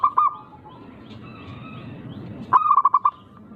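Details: Zebra dove of the local type, prized for a rare rhythm that provokes rivals; a brief coo at the start, then a crisp run of six quick, punchy cooing notes.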